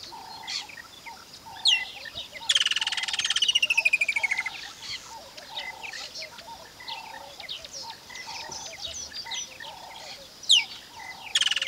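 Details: A Woodland kingfisher in Mashatu Game Reserve, Tuli Block, Botswana, gives a loud, descending trill that slows and drops in pitch over about two seconds. Steady rhythmic notes, likely frogs, and other bird chirps continue behind it.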